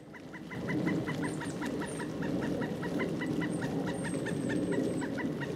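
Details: A pileated woodpecker in Duke Island Park on 25 January 2011 gives a long, steady series of loud clucking kuk notes, about four or five a second, over low rumbling background noise and a few thin high whistles.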